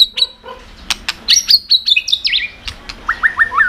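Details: A white-rumped shama delivering varied song to provoke rival birds: high whistles and sharp ticks, a run of bright looping notes, then a quick series of falling whistled syllables.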